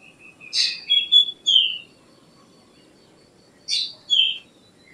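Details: Black drongo, a small all-black Asian passerine with a forked tail, gives two phrases of song: a harsh buzzy burst followed by clear whistled notes sliding downward, repeated after a pause of about two seconds, in quiet surroundings.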